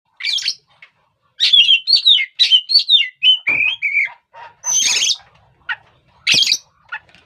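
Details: Oriental magpie-robin used to provoke other birds, a loud series of sweet whistled phrases, slurred and falling, broken by harsh buzzy squawks, phrases spaced by short pauses.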